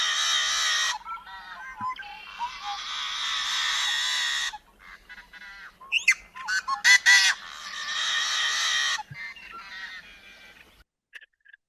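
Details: Yellow-headed blackbird of prairie wetlands gives its musical song: a few clicking intro notes, then a long harsh buzzy scream, given twice, with odd rasping and squeaky notes between. The bird throws its head back and opens its wings while screaming.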